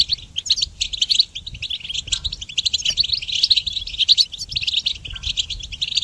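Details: Goldfinch in full song for songbird training, delivering a hurried jumble of sharp, bell-like twitters and rolling buzzy phrases that continue without a break.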